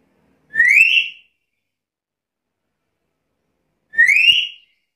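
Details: Two clear upward-sliding whistles from a Black-capped lory, bright and harmonic-rich, spaced roughly three seconds apart against a silent background.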